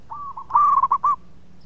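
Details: One short, emphatic phrase from a local zebra dove, a keen singer kept to encourage others. A soft lead-in coo is followed by four quick, loud, rolling notes.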